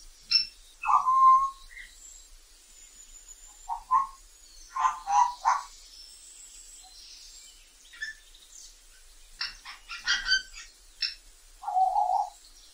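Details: Wild African grey parrot calling: a series of harmonic squawks and whistles in short bursts, some rising and some falling, spread across the clip with silent gaps between them and a low whistle at the end.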